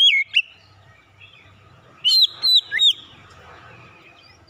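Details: Oriental magpie-robin of fighter character giving short whistled song notes: one slurred note at the start, then three loud looping whistles in quick succession midway, separated by quiet stretches with a faint low hum.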